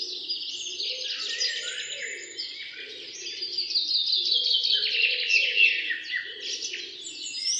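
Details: Several wild birds singing in a forest beside a road in the morning, a dense overlapping chorus of high chirps, trills and warbled phrases, over low droning pulses that come and go in the background.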